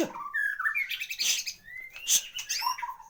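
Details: White-rumped shama, a caged bird of contest quality, gives a short burst of varied song: rising whistles, sharp chips and slurred notes in quick succession.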